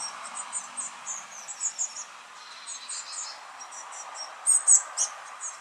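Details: Young Eurasian blue tits begging: a quick, uneven series of thin, very high chirps, several each second, then a louder burst of sharp, squeaky notes near the end.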